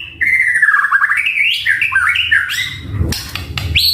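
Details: Lively white-rumped shama song, a training and lure track meant to draw a quick reply: a long fluty warbling run rising and falling, then sharp high rising whistles near the end.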